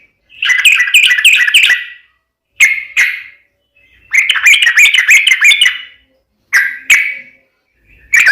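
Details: Sooty-headed bulbul singing briskly in a fighting style with ropel runs. Rapid bubbling whistled phrases come in short bursts separated by pauses, with single sharp notes between the bursts.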